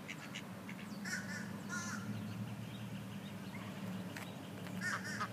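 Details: During a fight between two mallard drakes over a hen, mallards give a few short, raspy calls in scattered bursts over a steady low rumble, possibly splashing or distant traffic.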